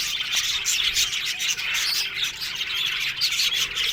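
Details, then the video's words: Australian budgerigar colony in an aviary, lively overlapping chirps and short whistled notes from many birds in a steady high chatter. "One Day Parakeet's Sounds Budgies Love Birds HD Sounds"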